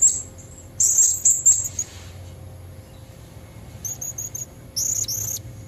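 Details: A female blue-crowned hanging parrot gives its luring call for red-throated males: a burst of high, slightly buzzy squeaks, a quiet gap, then a row of four tiny chips and two final shrill notes.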